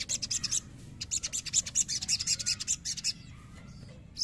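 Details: Untrained crimson sunbird, provoked to sing, delivers rapid bursts of thin, very high-pitched chirps in dense stuttering runs, with a brief pause around one second and another near the end; a faint low hum underneath.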